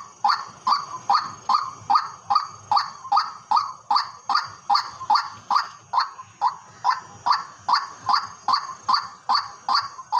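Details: White-breasted waterhen on farmland calling continuously: a long, very regular chain of loud, nasal, croaking notes, about two and a half per second, each with a sharp onset and bright overtone.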